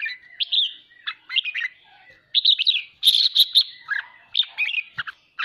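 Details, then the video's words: Red-whiskered bulbul song for training birds to sing: continuous bright chirping phrases, a loud stretch of rapid repeated buzzy notes in the middle, and varied whistles toward the end. "Chào mào khích ché cực hay /kích chim nhà tập ché /luyện giọng kích bổi cực hay /"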